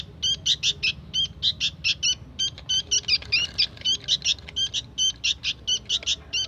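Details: Actively singing young sooty-headed bulbul, giving crisp, sharp chirps in quick pairs and triplets at a steady, insistent rhythm, clear against a quiet background.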